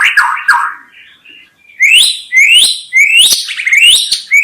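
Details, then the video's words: White-rumped shama: two rough, buzzy notes, then a quiet gap, then a run of bright, rising whistles repeated roughly every half second. "SUARA KHAS BURUNG MURAI BATU_KICAU ISTIMEWA"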